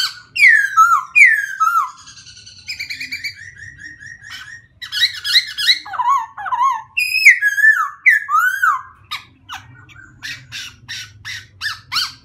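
White-crested laughingthrush giving loud, varied whistles: quick down-slurred notes and warbling phrases, ending in a run of sharp clicking chatter, with a faint low hum behind.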